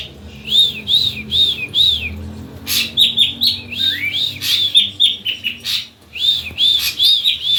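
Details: Ashy drongo song, played to prompt other drongos to sing along: clear repeated arched whistles, several in a row, broken by a burst of harsh, scratchy mixed notes before the whistles resume.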